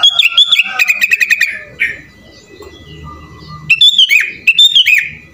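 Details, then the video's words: Sooty-headed bulbul in energetic 'gacor' full-isian song style, with fast bursts of bright chirping notes around the upper-middle register, a short pause, then more lively warbled phrases near the end. "SUARA BURUNG KUTILANG GACOR FULL ISIAN"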